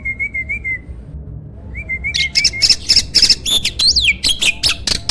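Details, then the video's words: Prize starling used as master song for competition birds: wavering whistled phrase, a pause, then loud rhythmic chattering with repeated harsh notes and squeaky upslurs roughly four times per second. "MASTERAN BURUNG JALAK SANG JUARA!!"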